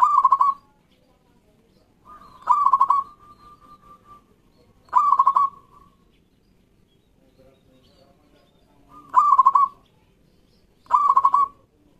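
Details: Captive local zebra dove calling loudly, used to stimulate quiet doves: five short rolling, stuttering coo phrases spaced roughly two to three seconds apart, some introduced by a soft level hum, with quiet background between them.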